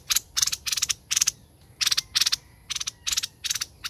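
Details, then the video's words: Tame laughingthrush giving its fast chattering song: tight clusters of three or four sharp, broad clicky notes, repeated in bursts about every half second, with quiet gaps between bursts. "Hoành Hoạch Thơm Mồi Hót Líu Cực Đỉnh"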